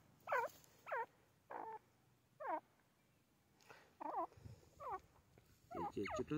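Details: Grey francolin, called teetar, repeating hooked harmonic notes roughly every 0.7 seconds against a noisy background, the notes crowding together near the end.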